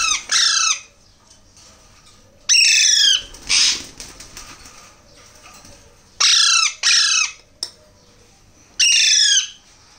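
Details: Alexandrine parakeet babies begging while hand-fed, uttering repeated raucous, descending squawks in pairs and singles, with a softer noisy rustle between calls around the third and fourth seconds.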